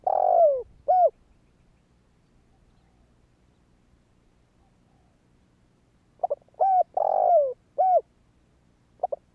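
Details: Spotted dove calling to set off other doves: the end of one phrase with a long falling coo and short coo, a quiet gap of about five seconds, then a fresh phrase of soft notes and coos.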